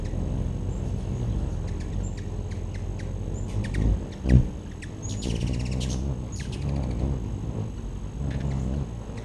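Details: Hummingbirds visiting a backyard feeder in 2013 give spaced high ticks, then a dense rattling chatter burst, with a soft low thump midway and steady background hum.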